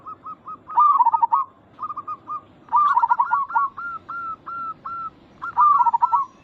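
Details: Local zebra dove in song meant to make other zebra doves answer: soft, quick staccato notes interleaved with loud rolling coos and a run of slightly rising clipped notes.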